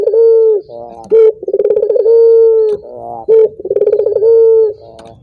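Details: Low, mellow dove cooing from a collared dove: a sustained steady coo, a brief accented note, then a vibrating pulsed roll leading into the next long coo, repeating regularly in a quiet room.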